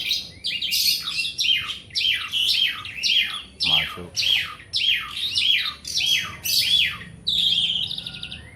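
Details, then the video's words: Asian pied starling's nonstop song: a rhythmic string of loud squeaky, downslurred phrases repeated about every 0.6 seconds, ending in a thin, wavering whistle. "JALAK SUREN GACORR,..Suara tiada henti henti"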